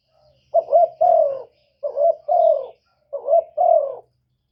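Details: Spotted dove call for luring wild birds: three phrases of soft, hollow coos, each a quick double note leading into a sustained falling coo, evenly spaced with short gaps, slight low hum.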